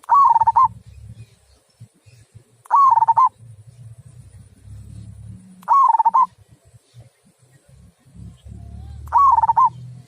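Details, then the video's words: Local zebra dove giving its clear, big-voiced 'kung' song: four brief rolling coos, each dipping and rising, repeated roughly every three seconds, with soft low rumbling noise between phrases. "Mp3 Perkutut Lokal Suara Kung"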